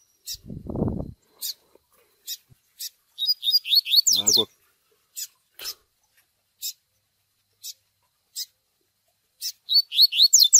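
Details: Seedeater Tui Tui song mixed with chick cheeping, for training young birds: short raspy cheeps repeated irregularly, two bursts of quick descending whistles, and two brief low-pitched thuds or rumbles near the start and middle.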